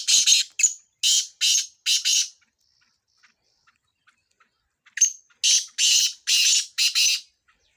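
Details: Black francolin (kala tetar) from Sindh, recorded as chakree training: harsh, grating high notes in two bursts of about five, separated by a silent gap of some two seconds.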